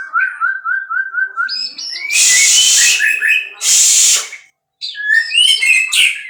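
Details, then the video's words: Breeding-stock white-rumped shama singing a rapid repeated whistled trill, then two long loud harsh hissing bursts, then varied whistled phrases resuming. "muray batu suara mantap"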